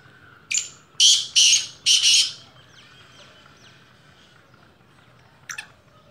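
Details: Black francolin, first season, giving a harsh grating call of four rasping notes in quick succession, then faint thin notes and a brief scratchy sound near the end.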